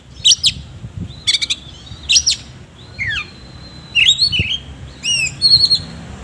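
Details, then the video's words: Oriental magpie-robin, kept bird, in loud song with harsh filler: clipped sharp chirps repeated about once a second, then falling whistles and rapid trilled notes, with faint low knocks. "BURUNG KACER GACOR NGOBRA ISIAN KASAR"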